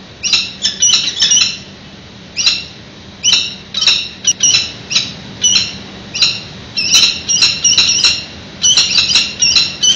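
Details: Male peregrine falcon at the nest ledge in San Francisco, calling out to the female before taking over incubation; clusters of sharp, harsh chips come in bursts with short pauses, over a faint low background hum.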